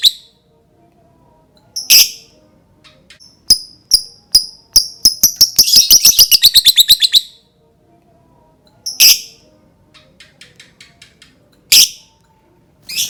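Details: Lovebird calling to prompt other lovebirds to sing: brisk chips accelerate into a rapid chattering trill, followed by a few scattered shrill screeches.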